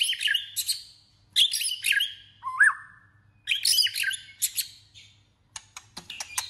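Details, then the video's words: Voice-training, competitive song from a white-rumped shama: high, buzzy, scratchy phrases repeated three times around one bright rising whistle, with clicking notes at the end. "Choè lửa hót đấu/Choè lửa hót luyện giọng căng lửa/Choè lửa hót"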